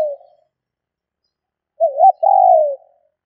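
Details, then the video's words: Female spotted dove calling to stimulate males: after a brief fading coo, near-silence, then one phrase of two quick wavering coos followed by a longer, low, slightly falling coo, against a clean, quiet background. "Tiếng Chim CU gáy mái chuẩn kích trống hiệu quả"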